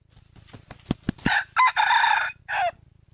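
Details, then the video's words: Junglefowl lure sound from 2021: several sharp clicking clucks lead into a full crow. The crow has a short start, a long strained middle and a falling end note, over a low background hum. "suab qaib qus"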